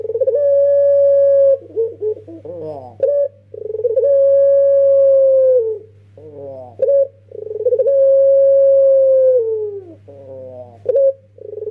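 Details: Young lure-bird Barbary dove repeating its pelung song about every four seconds: long sustained even coos ending in a downward slide, each followed by rough wavering notes and a short clipped call.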